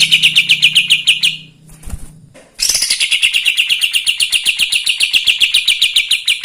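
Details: A lively Kapas tembak song for provoking other birds: a run of quick, sharp high notes, a short break with a low hum and a thud, then a long unbroken stream of rapid chips.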